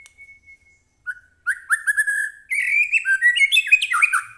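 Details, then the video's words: White-rumped shama, caged and agitated, singing to provoke other birds to sing. A thin, level whistle and a few soft notes lead into a rising rush of rich, rapid warbling whistles. "murai batu gacor AMPUH buat pancingan murai batu agar bunyi JADIKAN burung murai gacor EMOSI NYAUT"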